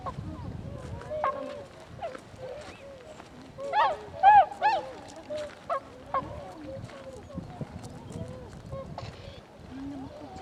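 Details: Tundra swans (Cygnus columbianus), recorded 26 February 2012, give bugling, hooting honks, a few loud ones rising above a steady chatter of many distant calls from the flock.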